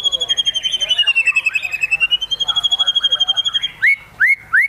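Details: White-rumped shama singing excitedly with fill-in phrases: a sustained fast trembling whistle held on one pitch for several seconds, then three loud rising whistled notes.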